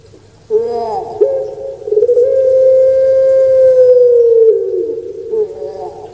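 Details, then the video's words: Captive puter pelung dove, a well-known Javanese dove, opens with a short rising note, then holds a very long, smooth droning coo for nearly three seconds before it fades downward. "Suara Merdu Menggema //Puter Pelung"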